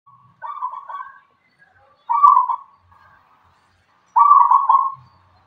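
A zebra dove gives three low, soft, rolling coo phrases, each under a second and spaced about two seconds apart, with quiet surroundings.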